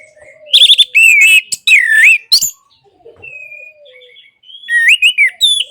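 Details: Orange-headed thrush, used to get silent birds singing: loud wavering whistled phrases with sharp rising and falling slurs, a pause of soft drawn-out whistles, then more quick slurred notes.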